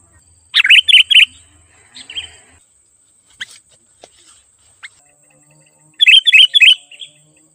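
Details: Sooty-headed bulbul 'gacor' lure song for calling wild birds: a four-note bubbly phrase, scattered faint chirps and clicks, then a second matching phrase of rapid warbled notes near the end.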